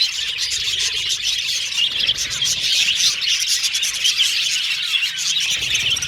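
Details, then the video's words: Many pet budgerigars whistling and chattering at once, short rising and falling high notes tumbling over each other in a steady, cheerful chorus. "Australian Budgies Birds Singing & Chirping Sound"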